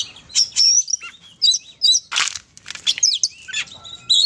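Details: Oriental magpie-robin song used to train other magpie-robins: varied, sweet whistled phrases, some rising and some falling, mixed with sharp chirps and one harsh burst, given in separate short notes with brief pauses.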